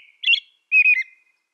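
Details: Two brief whistled phrases from an American robin, the first higher and chirpier, the second a longer falling warble, in silence.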